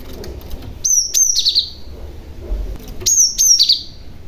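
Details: Young Cinereous tit giving lure calls that draw other tits to respond; two matching phrases, each a high whistled note sliding down into a short run of chirps, about two seconds apart.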